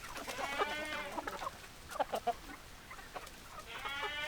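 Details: Chicken (Gallus gallus domesticus), clucking and crowing.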